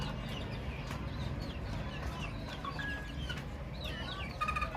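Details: Many baby chicks peeping: short, high, falling chirps scattered throughout, thickening into a rapid burst near the end, over a steady low rumble of background noise.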